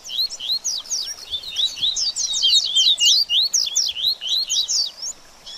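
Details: Double-collared seedeater song meant to stimulate a bird after moulting: fast, varied twittering of rising and falling whistled notes and sharp slurs, delivered in dense continuous phrases with brief pauses.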